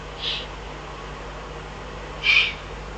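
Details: Eifel eagle-owl, June 2012: a faint short high rasp, then after about two seconds a louder hoarse call, against a quiet background with a low steady hum.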